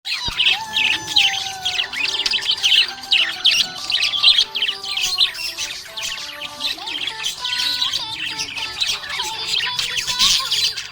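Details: Happy budgie giving continuous busy, high chattering chirps and squeaks without pause, mixed with steady tonal music throughout.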